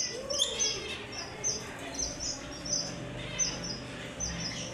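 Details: Yellow Fischer's lovebirds chatter with short, high, squeaky chirps and sharp tweets repeated roughly every second, over a low steady background hum.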